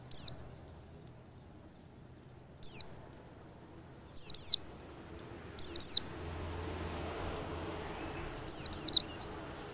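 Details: White-eye notes used as a lure to get white-eyes singing quickly: very high, thin, sharply descending notes in scattered bursts of one to four, the last burst a quick run of several notes, over a quiet background.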